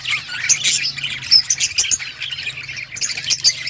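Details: Many parakeets in an outdoor colony chattering at once: rapid high chirps, short whistled notes and warbles overlapping in a busy chorus over a faint low hum.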